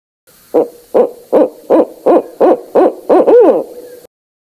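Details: Barred owl giving eight evenly spaced, emphatic hoots about every half second, the last drawn out into a longer descending note, in otherwise quiet surroundings.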